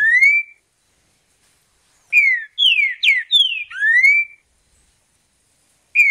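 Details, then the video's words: Green-winged Saltator in the wild giving its mateiro song. A short rising whistle, a pause, then a full phrase of several loud descending whistled slurs ending in a drawn-out upward whistle, and the next phrase begins. "Canto do trinca ferro mateiro, na natureza"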